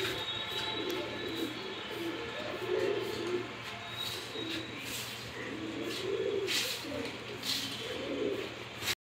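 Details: Bokhara pigeon in a loft in Bangladesh gives repeated deep coos, swelling roughly every one to three seconds, against constant background hiss and occasional higher chirping from other birds.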